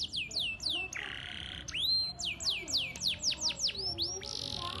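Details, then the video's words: Canary in lively 'cengkok mewah' song: repeated high downward-curving whistles, a brief buzzy hold, then a run of about eight evenly spaced falling sweeps ending in a dense buzz. "Suara Burung Kenari Gacor cengkok mewah"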